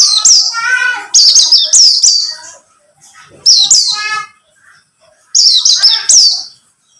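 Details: Buxtomi-type white-eye singing, used as a lure to prompt other white-eyes to sing. Three loud bursts of sharp, high, slurred notes, each with lower buzzy harmonics, are separated by pauses of about a second.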